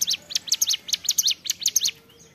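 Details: Ciblek gunung, a prinia, singing in the prolific 'gacor' manner in the 'ceplekan' style: rapid, sharp, high chirps in quick bursts, each note sweeping down, about eight per second, then fading out near the end.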